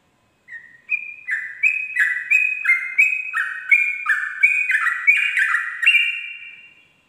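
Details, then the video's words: Sooty-headed bulbul singing ropel at dawn: after a short opening note, a rapid stream of stepped whistles alternating high and low, about three per second for six seconds, then fading, with no other sounds. "pancingan trucuk ropel subuh"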